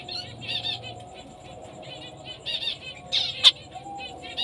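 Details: Female zebra finch of black-breasted, orange-breasted fawn colouring: short nasal harmonic calls in quick bursts, several per second, with a sharp louder note near the end over a faint steady hum.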